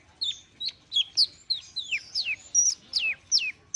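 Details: Long-tailed shrike (cendet) warming up with thin, high, sharply downslurred whistles and squeaks, repeated roughly every quarter second with slight variation.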